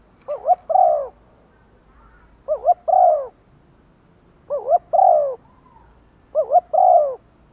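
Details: Spotted dove kept as a decoy to lure wild doves, giving one-ending calling coos: four phrases of double note plus long falling coo, repeated roughly every two seconds at steady volume.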